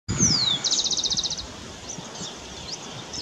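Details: Black-and-rufous warbling finch calling: a high thin whistle slides steeply downward, then a fast run of about a dozen short, evenly spaced high chips, with fainter distant bird notes and soft rural background noise afterward.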